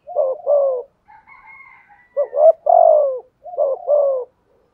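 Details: Decoy spotted dove cooing thúc gù with a thổ voice: three groups of doubled notes and falling coos, a faint thin high whistle in the pause.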